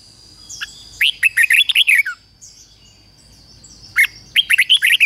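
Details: Decoy red-whiskered bulbul delivering two energetic phrases of seven or eight rapid, rippling whistled notes about three seconds apart, preceded by a short soft note, over a faint steady high tone.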